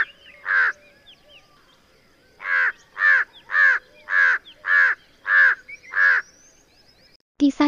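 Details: Large-billed Crow giving hoarse, harsh caws: one single caw, a pause of about two seconds, then a steady run of seven caws roughly every half second. Faint thin chirps from other birds sound in the background, and a brief voice cuts in at the end.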